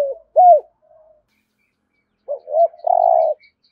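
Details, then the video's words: Spotted dove in thúc gù cooing with the rolling thổ rền voice: a short coo and an arched note, then after a pause a soft stutter, an arched coo and a long, vibrating, buzzy final note. "Tiếng cu gáy thúc gù giọng thổ hay rền rền"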